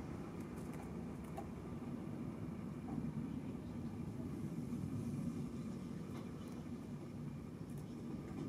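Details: Steady road traffic rumble with passing vehicles and faint distant speech outdoors in an urban setting.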